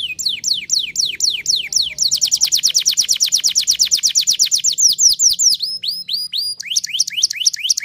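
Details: Canary singing loudly: a run of repeated downward-sweeping whistled notes, then a fast rolling trill of many identical notes for about three seconds, ending with looped upslurred whistles.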